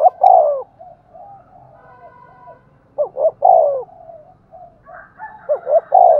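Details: Spotted dove used as a decoy, cooing in the lively, well-structured Thúc Gù style meant to draw wild doves in quickly: three loud husky coo phrases, each a short double note then a longer falling coo, with soft low coos between them.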